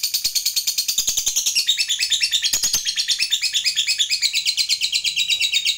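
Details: Lovebird fighter in the long 'ngekek panjang' style, used to provoke other lovebirds to sing: an unbroken, very fast, high chattering trill of rapid squeaky notes, loud and continuous throughout.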